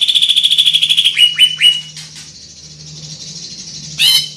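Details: Greater green leafbird, a big-bodied bird with a loud, penetrating song, opens with a fast even trill, drops into three downward-slurred whistles, then thins into a faint hiss before a harsh burst near the end. A low hum runs throughout.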